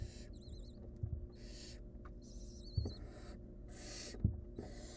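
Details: At a wild barn owl nest, the mother helps her nestling that is choking on a too-long rodent leg; loud rasping hisses sound about once a second, with faint wavering squeaks between them and a constant low hum.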